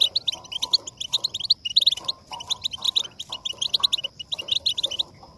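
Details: European goldfinch twittering, played to get goldfinches singing: rapid, high, cheerful chirps in tight clusters, repeated in phrases with short gaps, over faint lower background sounds.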